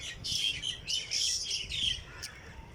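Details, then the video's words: Several birds in Jilani Park, Lahore, in the early morning: loud, quick chirps and squeaky tweets in three bunched bursts, followed by a sudden sharp click near the end. "Birds sings in Jilani park Lahore early morning"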